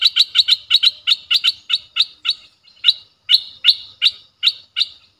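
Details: Lure recording of a Streak-eared bulbul for wild birds, fierce in tone: a fast series of bright, sharp repeated notes that loosens and slows toward the end.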